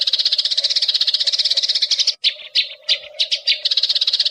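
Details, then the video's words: Eurasian tree sparrow calls used as a lure recording to attract wild birds: dense, rapid metallic chirps repeated about three times a second, with brief pauses and separate sharp chirps midway, over a steady background tone. "MASTERAN PANJANG BURUNG GEREJA"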